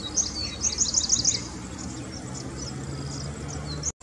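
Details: Grey-breasted prinia (Prinia hodgsonii) in roadside scrub gives quick bursts of thin, very high chipping notes, loudest in the first second and a half, over a low steady rumble.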